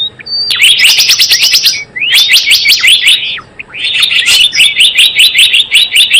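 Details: Java sparrow call played as a lure for trapping: three long bursts of evenly spaced sharp chirps over clicking, separated by short gaps and an upslurred whistle.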